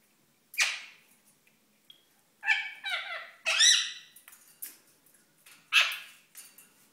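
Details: A rose-ringed parakeet (ringneck) gives harsh, grating screeches in short bursts with soft chatter between them, heard indoors during courtship display.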